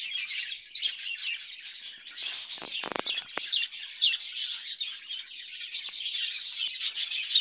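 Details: Budgerigar kept in a cage, chattering nonstop in high, buzzy twitters and squeaks, with a few faint clicks or knocks in the middle.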